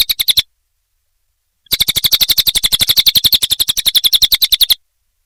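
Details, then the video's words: Cililin training song for murai batu and other cage birds: a short burst of high, clipped notes, a second of silence, then a three-second volley of fast chattering pulses. "Masteran Burung cililin"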